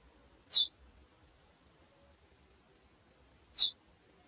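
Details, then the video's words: Calling female chestnut-bellied seed finch gives two isolated high, thin, clipped chip notes about three seconds apart against near silence. "Fêmea de Curió Piando e Chamando"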